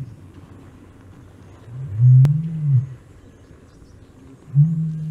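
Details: Somali ostrich (Struthio molybdophanes) song, a species of Horn of Africa shrubby, thicker vegetation: deep, low booms, a long rumbling one followed a couple of seconds later by a shorter one, over quiet background hiss.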